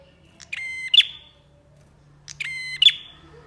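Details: Bar-winged prinia singing eagerly, used to train and lure songbirds: two loud reedy buzzes about two seconds apart, each a short flat nasal tone snapping into a sharp higher accent, with quiet hum between.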